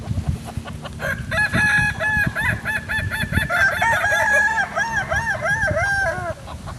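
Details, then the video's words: Kukuak Balenggek chicken, a pure Solok breed from West Sumatra, delivers an extended crow of about five seconds. It is built from many repeated arching, wavy syllables, with light tapping and rustling beneath. "Ayam kukuak balenggek akb ayam his asli solok sumbar"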